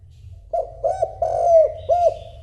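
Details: Spotted dove cooing to call a mate: a soft, low, hollow series of coos, with short notes followed by a longer drawn-out coo and a final short coo. A low background hum runs underneath.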